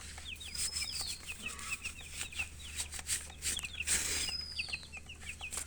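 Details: Baby chickens cheeping steadily: rows of quick, sharp, falling chirps repeated several times a second, with a soft long whistle and occasional clicks over a low hum.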